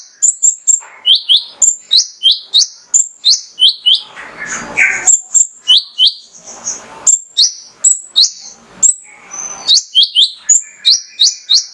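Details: A male mangrove whistler sings as a lure for other songbirds: long, fast string of piercing rising whistles switching between two pitch levels, with short bouts of rustling noise in between.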